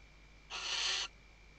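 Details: Western barn owl female, Ebro Delta, Spain, 2023, working the nest while calling to her mate; a single rasping, breathy screech of roughly half a second, broad and hissy, with a faint electrical whine behind it.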